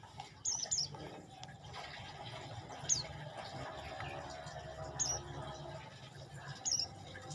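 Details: Olive-backed tailorbird sings piercing high notes, often in quick doubled pairs, repeated every two seconds or so across the recording, with a constant low hum underneath.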